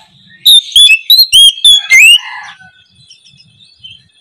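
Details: Morning 'ngeplong' song of an oriental magpie-robin, used as a lure to prompt a quiet bird to reply: six loud, high whistled phrases about a quarter-second apart, ending on a rising slurred note, then near-silence.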